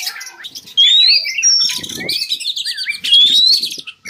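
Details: Song of an Oriental magpie-robin, used to lure captive birds into breeding condition; two bright upward-sliding whistles framing a stretch of buzzy, warbled notes and quick chirps.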